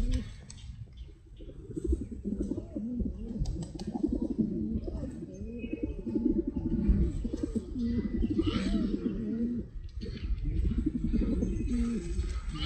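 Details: Group of pigeons cooing together in a continuous chorus of deep, throaty, rolling coos that overlap and swell, with a low rumbling background and a few faint higher chirps.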